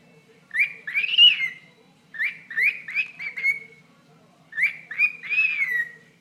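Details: Chirping at its owner's toe, a pet bird gives three groups of buzzy, swooping chirps, each group of several notes rising then sliding down, with short silences between.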